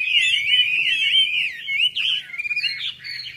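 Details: Red-whiskered bulbul song recorded at a bird club meet in Long Bien, 27 April 2014: a continuous liquid warble of quick slurred notes, breaking after two seconds into choppy stuttered chirps before a final rising phrase; low hum behind.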